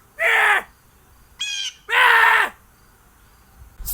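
A crow gives two harsh, drawn-out caws about a second and a half apart, with a brief higher, thinner call between them.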